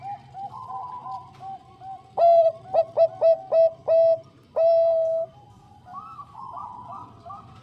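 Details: Zebra dove of the Bangkok type, a female calling the male: quiet cooing, then six loud, ringing short coos and one long held note, fading into softer warbling coos from another bird.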